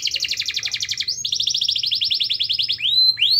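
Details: Canary in vigorous song, played as a lure to get a quiet canary singing: quick high trills of repeated descending notes, a pause-free shift into another rapid trill, ending with sharp upslurred whistles.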